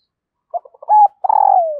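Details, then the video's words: A female dove calls to stir the male and draw in wild birds. A few soft clipped notes lead into a steady mid-pitched coo, then a long vibrating coo that slides downward. No other sounds. "Tiếng Chim Cu Mái Kích Trống"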